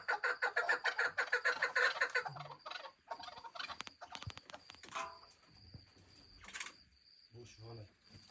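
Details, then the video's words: Chukar partridge chicks give loud, rapid overlapping chirps for about two seconds. Quieter scattered clicks, knocks and brief rustling follow, with a thin steady high whine in the background. "Yavru keklikler"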